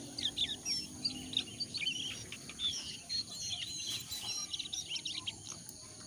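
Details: Jongkangan calling, used as a lure to make wild-caught birds call: busy, continuous high chirps and twittered notes in close succession throughout, set against steady low rural background noise.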